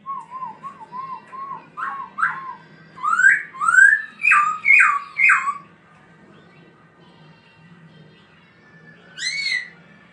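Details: Laughingthrush performing its dancing song, opening with soft wavering low whistles, then loud rising whistles and a cluster of short chattering notes, a long quiet stretch and one final ringing call.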